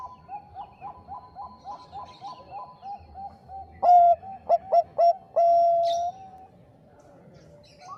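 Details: Zebra dove, Bangkok strain, cooing on a recording meant to provoke rivals: a steady string of soft coos, then four loud clipped notes ending in a long sustained coo, with quieter doves after.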